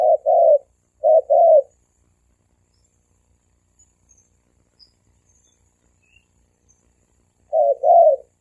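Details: Male and female spotted doves cooing thổ kim style to attract wild doves: two quick double coos, each short note followed by a fuller one, then six seconds of near silence before another double.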